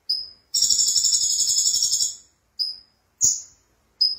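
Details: Sunbird known locally as konin delivering a loud gacor song: a long shimmering buzzy trill of nearly two seconds, followed by single sharp high whistled notes spaced apart.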